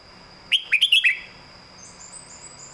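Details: Short phrase of five quick, bright whistled notes from a red-whiskered bulbul in classic master-song style, followed by quiet with faint high chirps and a steady background tone.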